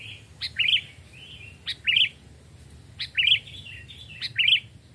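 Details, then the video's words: Sooty-headed bulbul, a two- or three-year-old caged bird hand-raised from a nestling, singing in a forest: four bright, bubbly phrases, each opened by a sharp clipped note, with soft trailing chatter between them. "tes mental dan suara saat di hutan 2 jenis Burung Kutilang"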